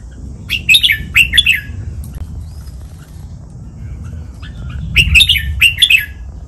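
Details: Red-whiskered bulbul in Pa La-u style master song meant for caged birds to imitate: two groups of quick jerky whistled phrases several seconds apart, over low background rumble.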